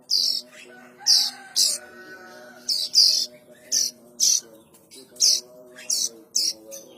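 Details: Plain prinia chicks, whose calls can be used to lure adult birds: harsh, hissing high-pitched bursts, about a dozen in seven seconds, often paired, over a low steady droning hum.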